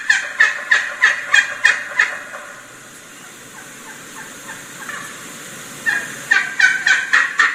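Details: A wild Turkey hen, perched above approaching gobblers, calls to draw them closer, stopping each time a gobbler gobbles: fast, raspy yelps, about three a second, varied in pitch, in two runs separated by a quiet pause.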